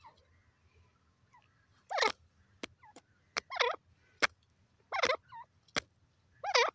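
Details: A grey francolin (teetar) gives loud, harsh, grating call notes in bursts about a second apart, mixed with sharp clicking notes.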